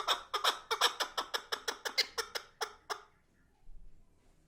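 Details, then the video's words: Chukar partridge delivering a rapid series of harsh chattering chuck notes, about three per second, then stopping, leaving near silence. "Кабк чучаи сурак дар хондан дромадай صوت الحجل جميل جدا"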